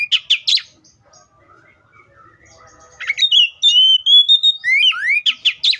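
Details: Oriental magpie-robin in full song, opening with harsh rapid chirps, then a pause, then long pure whistles and rising slurred notes ending in scratchy trills.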